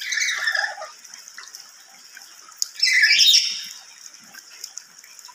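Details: Lory calling loudly and shrilly, a harsh rasping screech at the start and another longer grating burst near the middle, with hiss between.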